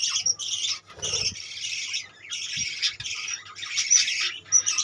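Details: Budgerigars in a colony, a dense chorus of chattering, chirping and warbled calls overlapping continuously, with brief pauses, and a few soft low thumps in the background.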